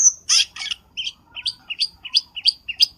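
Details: Black-winged starling lure call used for trapping birds: a few harsh, broad chirps, then a quick series of short rising upslurred notes about every third of a second. The background is quiet.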